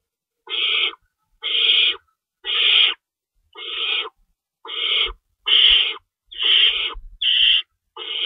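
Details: Owls at a nest at 3:53 AM on 25 March 2012, at feeding time, with two rabbits stored in the nest and an adult staying in to shred food. Harsh, noisy hissing screeches about half a second long, repeated roughly once a second.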